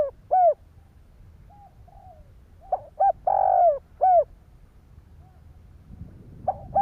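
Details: Spotted dove cooing to provoke other doves: scattered short coos, soft faint notes, then one full phrase of clipped notes, a long throaty coo and a falling final coo.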